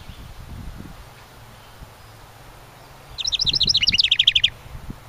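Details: House wren nesting in a decorative ceramic birdhouse beside a cabin in summer: after three quiet seconds, a rapid bubbling burst of high chattering notes that tumbles downward into an even, fast trill lasting over a second.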